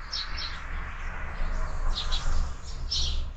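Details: Sparrows visiting a feeder on a window in the morning; a few separate bright chirps, paired at the start and again near the end, over loud low-pitched background hum.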